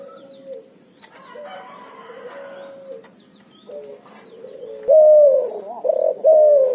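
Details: Cuhu hybrid dove, a cross between Barbary dove and spotted dove, giving ngoar nguku coos: softer low hoots at first, then louder, clearer, slightly rising coos near the end.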